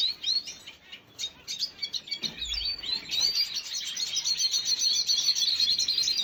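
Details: Red Siskin, recorded 5 June 2022, giving a rapid, high, twittering chatter of thin chirps and trills, several notes per second, with a brief low thump partway through.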